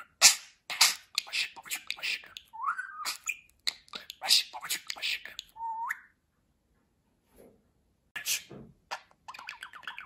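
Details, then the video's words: Indoor talking budgerigar producing rapid hissy syllables and two clear swooping whistles, then a near-silent pause before a final warbling burst. "Konuşan Muhabbet Kuşu"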